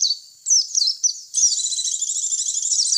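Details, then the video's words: White-eye lure sound for drawing in white-eyes: a few thin, rising squeaky notes, then a continuous run of rapid high twittering chatter, with no background noise. "Suara pikat pleci"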